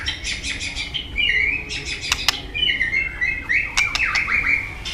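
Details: Somewhat distant-sounding white-rumped shama in full, filler-rich song meant to provoke other shamas: rapid high ticking notes, level and rising whistles around the middle-high range, a few sharp clicks, light background hiss.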